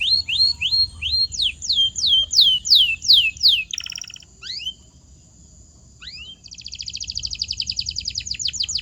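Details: Canary song used to stimulate quiet or muted birds: loud downward-sweeping whistled notes repeated about three per second, a short buzzy burst, a pause, then a fast rolling trill.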